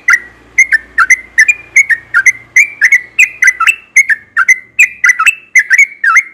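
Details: Lively yellow-vented bulbul song, the species said to sing often in the morning: a rapid chain of bright, bubbly whistles with crisp attacks, about twenty notes in six seconds, some with quick downward twists; low hum underneath.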